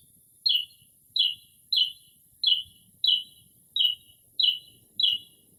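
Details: Northern mockingbird in a late-night early spring song near a house, mimicking various bird calls in near silence: one clear, downslurred chirp repeated eight times at steady intervals of about two-thirds of a second.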